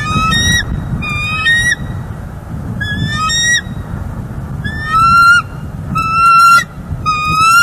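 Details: Bald eagles at a nest in northeast Florida, December 18, 2021, heard through a live nest camera during nest building, as the male delivers dried grasses and then sits on the egg: loud piping notes in repeated bursts, about one a second, over low background rumble.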